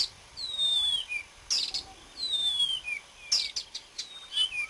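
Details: Marsh warbler (Acrocephalus palustris) singing on 30 May 2010, a varied, high-pitched run of sliding whistles and sharp buzzy bursts, some notes dropping in pitch, over faint background hiss.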